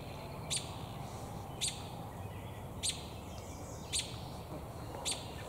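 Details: An American robin in a tree, its beak full of damselflies, gives five sharp, high chirps, one about every second, over a steady low background rumble.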